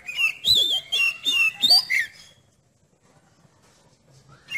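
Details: Steady chattering song of an Oriental magpie-robin, used to test another magpie-robin's nerve: two seconds of quick, varied whistled and chirping phrases, then near silence with one last rising note at the end.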